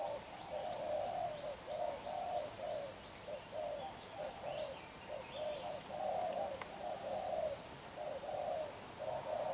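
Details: Young black-eyed spotted dove, a wild-caught bird, cooing vigorously in its bowing coo. Low, soft coo notes run in a steady chain, about one a second, with faint high chirps from other birds behind.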